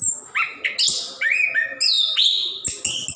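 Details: Orange-headed thrush (plontang) sings continuously as a prompt for caged birds that won't sing: clear slurred whistles rise and fall, broken by short high chips, in flowing phrases.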